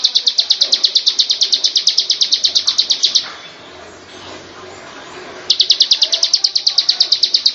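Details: Ciblek, the bar-winged prinia, giving a fast run of high, clipped notes repeated steadily for three seconds, breaking off into quiet background hiss, then starting the same rapid chip series again.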